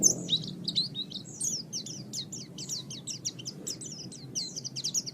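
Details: Oriental white-eye master recording for bird training: fainter, continuous high twittering of quick slurred notes over steady low background noise.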